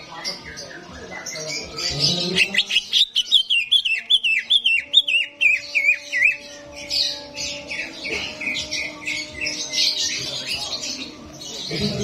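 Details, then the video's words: Greater green leafbirds at a songbird competition arena, used to rouse a bird that is slow to sing. Loud, sharp, down-slurred notes are repeated in a fast series, with fainter chatter and other birds behind. "SIMULASI DI ARENA LOMBA CUCAK IJO || untuk menaikan emosi cucak ijo yang susah on"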